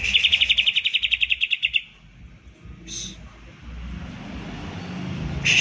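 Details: Green leafbird 'tembakan' song, a rapid-fire burst meant to spur silent leafbirds to sing: a quick run of high, evenly pulsed chips for under two seconds, a short sharp note, then another brief burst, with faint background rumble.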